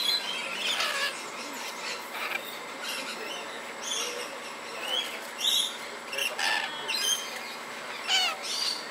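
Coconut lorikeets give shrill, grating screeches and sharp upslurred chirps in quick, irregular bursts, with several birds seemingly calling over one another.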